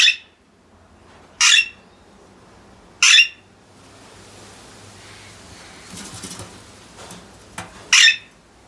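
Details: Alexandrine parakeet giving loud, harsh, broadband screeches, each short and spaced about one and a half seconds apart, with a quieter stretch of faint noise between the later calls.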